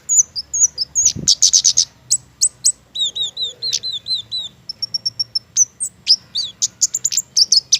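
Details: Indonesian flowerpecker, a mistletoe-fruit-loving garden bird, singing actively: rapid high thin tsit notes, repeated downslurred whistles in series, and a steady buzzy trill, all very high-pitched, with a brief low thump.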